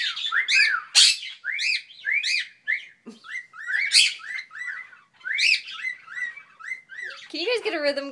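A cockatiel whistles a quick run of clear, arched notes, rising then falling, over and over.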